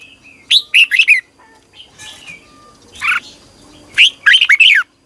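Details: Red-whiskered bulbul training song at dawn for competitive singing: two dense bursts of quick, rising warbled notes separated by a softer buzzy call and a quiet gap, with a faint background hum.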